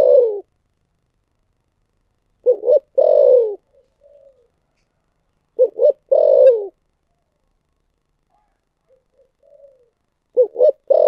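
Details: Thổ sấm style cooing from a spotted dove: a repeated low phrase of two brief hoots leading into a long falling coo, each followed by a soft fading note. Phrases come about every three and a half seconds in a quiet setting.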